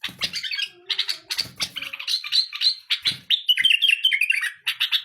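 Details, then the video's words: A pet bulbul delivers continuous, busy warbling song with sweet whistled notes and chattering trills, with light handling noises in the background. "تغريد بلبل اليف فول | اجمل تغريد بالابل"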